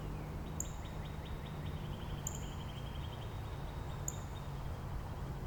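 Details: Northern Cardinal in Angrignon Park, part of a conversation among neighbouring cardinals; a steady train of quick rising whistled units, speeding into a smoother level trill, while sharp high notes of another bird recur three times over low background rumble.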